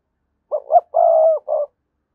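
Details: One full spotted dove decoy phrase for stirring doves to coo: two short, slightly rising hoots, a long even coo and a short closing note, all low and mellow in silence.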